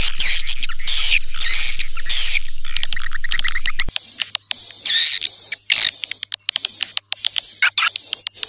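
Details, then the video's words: Swiftlet lure sound, Sp Bku 7: bursts of shrill twittering chatter separated by gaps, with sharp clicks and a thin high sustained tone running through the clip. "Suara Burung Walet Sp Bku 7 Suara Burung Walet"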